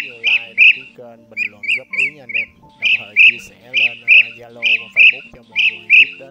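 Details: Blue-throated bee-eater calling in short, harsh, trilled bursts, mostly paired, repeated about once a second, with a melodic voice or instrument and music running underneath throughout.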